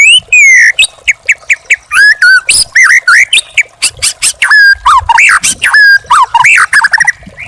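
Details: Young wild white-rumped shama singing a rich, fast, varied song used as a master recording for training caged birds: clear whistles, rising and falling slurs and sharp chipping notes in quick succession, with few pauses and no other sounds.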